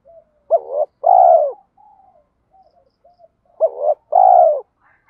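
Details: Decoy spotted dove cooing to stir rival males into singing and fighting; recording mixes males and females. Two paired coos, a brief upward note and a drawn-out falling one, with faint soft notes between.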